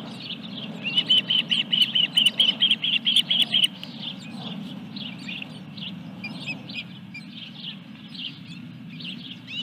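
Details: Osprey at Dunrovin Ranch nest as a fish is delivered, 14 July 2021, 21:23. A steady string of about a dozen loud, high-pitched whistled yelps, then quieter chirping over a low steady hum.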